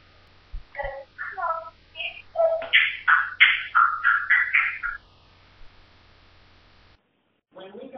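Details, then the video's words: Playing pet African grey parrot giving a rapid run of varied chirps and speech-like notes, some whistled and high, others lower and harmonic, about three per second, with a faint steady hum beneath, a pause, then one more note. "BEST TALKING PARROT IN THE WORLD"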